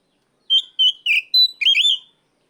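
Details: An Oriental magpie-robin calling out a rival delivers five clear whistles in about one and a half seconds, level and downslurred notes ending in a longer rising-falling phrase, background silent.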